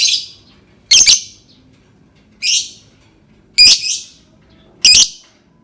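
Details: Singing lovebird, played to prompt other lovebirds to sing: shrill, grating squawks, some doubled, spaced about one to one and a half seconds apart over near silence.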